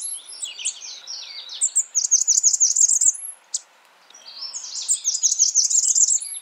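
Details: A Blackburnian warbler calling in high, quick runs of thin repeated notes, mixed with other bird chatter and a sharp click in the pause between phrases.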